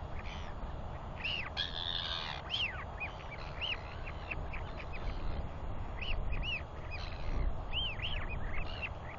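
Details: Wheeing calls from Royal albatross chicks during a father's feeding visit, 9 June 2021; many quick arched whistles in loose series, some overlapping, with brief rough bursts and continuous wind rumble beneath.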